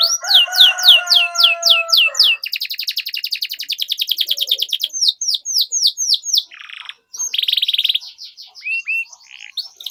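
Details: Canary song meant to teach young canaries: rapid repeated high sweeps over a lower whistled tone, a long fast rattle, sharp falling notes, then buzzy bursts and short trills.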